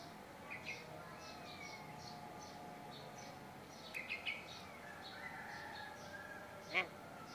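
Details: A tame Javan myna that can talk gives scattered short chirps and squeaky, speech-like phrases, a few every couple of seconds, over a steady low background hum.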